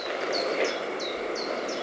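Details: Common chiffchaff heard singing repeatedly outdoors near water, calling its own name: a steady run of high, clipped, slightly falling notes, roughly three per second, over a constant background hiss.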